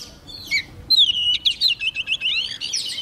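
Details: Oriental magpie-robin, a young bird, in energetic song when a wild bird approaches: a drawn-out descending whistle followed by a fast run of sharp, looping high notes.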